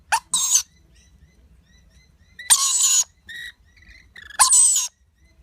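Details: Young lorikeet fed by its parents, uttering loud grating squawks in bursts of around half a second, with softer nasal notes between them.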